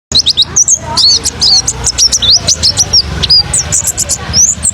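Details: Oriental white-eye (pleci) song used as a lure to stir other pleci into singing: rapid, high, twittering chirps and short downslurred whistles tumbling together in a dense continuous stream.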